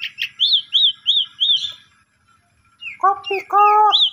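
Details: Asian pied starling lure song for a starling that has stopped singing: a run of rising-falling whistled chirps, a pause, then loud nasal harmonic squawks and more whistles, with a low hum in the background.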